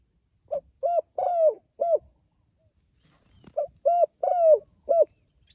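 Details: Spotted dove calling its companions with two matching cooing phrases about three seconds apart, each of four mellow notes, the third longer and sloping downward; faint steady high whine in the background.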